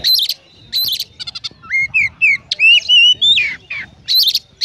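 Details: Loud Oriental magpie-robin konslet song, rich in Eurasian tree sparrow mimicry: harsh chattering bursts, a fast stuttered trill, then a run of clear, upslurred and wavering whistles before more chatter.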